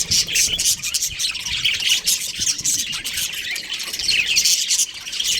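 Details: Budgerigar breeding pair chirping: dense, continuous high-pitched chatter of overlapping squawky chirps and warbles, with no pauses and steady loudness throughout.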